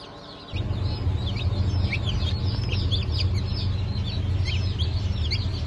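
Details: A fresh hatch of chicks, a mix of Sussex, Sultan, Türken and Australorp breeds dated 08.03.2024, peeping in a busy chorus of sharp, high, descending cheeps that come several per second over a constant low machine hum.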